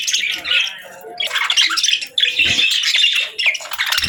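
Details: Budgerigars chattering in a steady stream of high, buzzy warbles and squeaky chirps, almost continuous with a short lull near the middle.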